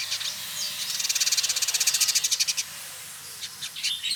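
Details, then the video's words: A male Village indigobird from Bandung, Indonesia, locally trotol, singing actively in captivity: a brief high chatter leading into a rapid buzzy trill of rattling notes lasting over a second, then a few soft chirps. "Burung Masteran Village Indigo Trotol Gacor"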